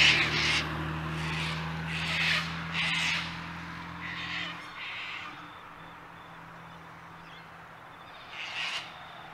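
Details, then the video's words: Loud series of harsh, ragged screeches from Sulphur-crested cockatoos at Mt Coot-tha, Brisbane, Queensland, 6 November 2022, Canon R7: about six squawks in the first half, a pause, then one more, over a low engine-like hum. "Sulphur-Crested Cockatoos at Mt Coot-tha, Nov 2022"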